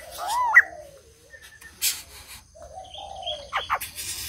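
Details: White-crested laughingthrush starting with a loud, rising, hooked whistle, then softer drawn-out tones and a few sharp, clipped notes.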